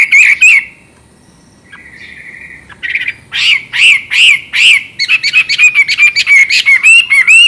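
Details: Chinese hwamei singing loudly. Two ringing notes and a quiet pause are followed by a long, clear whistle. A rapid series of bright, repeated, rising-and-falling whistled notes then speeds toward the end.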